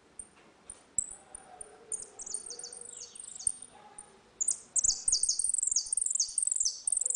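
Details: A 'retinido' ringing song of the saffron finch in dispute, recorded for tutoring young birds. Scattered high metallic ticks build into dense, rapid runs of bright, downward-sliding notes that grow louder toward the end.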